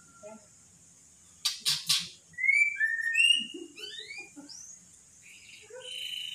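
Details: Magpie-robin heard mimicking speech, "Pak Jokowi": three sharp broadband clicks, then clear rising whistles and slurs over low chattering syllables, ending in a steady high whistle.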